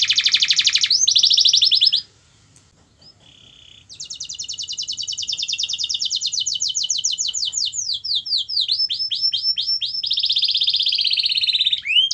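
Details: Canary singing, played to get a quiet canary singing again: a loud fast trill, a pause, then a long rolling trill that slows into separate downslurred notes before another dense trill.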